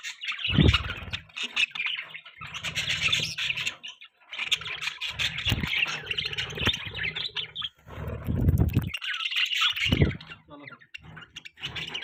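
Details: Budgie keeps up a steady, chattering warble of rasping chirps and squeaky notes. Soft knocks and low rumbles are heard underneath.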